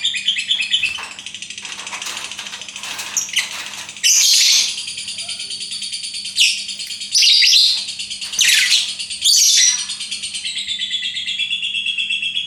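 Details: Lovebird giving a long, continuous, high trilling chatter for several seconds, then a string of loud, shrill, rasping squawks at irregular intervals, with a constant low hum beneath.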